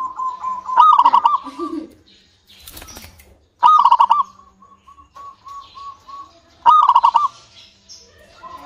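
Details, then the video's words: Local zebra dove, a vigorous singer, used to prompt other doves to sing: bursts of rapid, bubbling, ringing coos every three seconds, with softer, evenly spaced single coo notes in between and a brief wing flutter. "PANCINGAN PERKUTUT LOKAL SUPER GACOR UNTUK PANCINGAN PERKUTUT AGAR CEPAT BUNYI"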